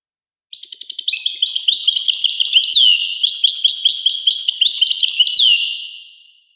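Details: A European goldfinch sings two long twittering phrases. Each opens with rapid repeated ticks, turns into a lively mix of liquid trills, and ends with a falling whistle. The recording is otherwise clean.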